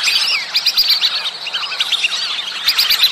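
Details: A flock of whistling ducks gives a mating-season chorus: dense, thin, high whistles, overlapping constantly with rising and falling notes and no pause.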